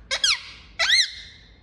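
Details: Indian ringneck parakeet uttering two short, high, nasal speech-like phrases with arching pitch, the second longer and trailing off.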